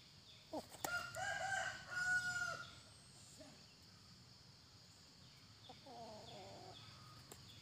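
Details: A tame junglefowl kept at home, courting its female, gives a loud, harsh crowing phrase of several drawn-out notes, then a softer rapid series of clucks, over a faint steady background hum.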